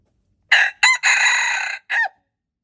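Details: Loud, close crow of a red junglefowl on February 26, 2025: two quick stuttering notes, then a sustained rasping phrase lasting nearly a second, closed by a short falling note. The background is silent.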